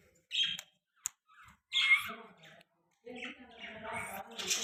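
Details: Young talking parrot, a Hindi-speaking pet, alternates harsh squawks with nasal, speech-like babbling in two longer phrases.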